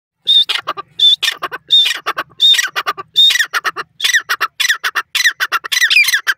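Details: Jungli teetar, a wild francolin, calling loudly in a fast series of harsh, grating notes. Some open with a short clear whistle, then break into rasping bursts repeated a few times per second.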